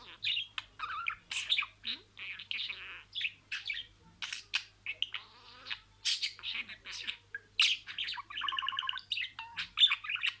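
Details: Pet budgerigar talking, repeating words in sequence: rapid chattering bursts of buzzy, scratchy syllables mixed with short whistled notes and a clicking rattle near the end, continuous over ten seconds with a faint low hum underneath.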